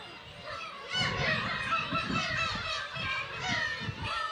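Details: Black-tailed gulls crowd the Kabushima colony in Hachinohe, Aomori, Japan, in June 2020, when chicks can be seen. A steady wash of many overlapping high mewing calls over low wind rumble.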